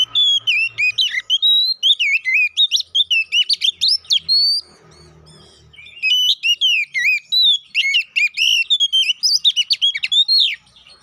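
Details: Oriental magpie-robin (kacer poci), kept bird, fighting-lure song: two long bursts of rapid, energetic whistles and sharp chattering slurs separated by a brief quiet pause with faint background noise.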